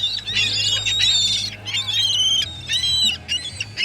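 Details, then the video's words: Loud gull cries in quick succession, long strained wails and shorter squawks in four bursts, over a low steady hum. "Seagull noises"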